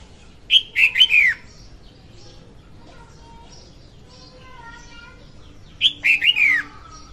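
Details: Female red-whiskered bulbul singing, recorded as a trapping lure; two lively whistled phrases about five seconds apart, separated by faint thin tones in the background.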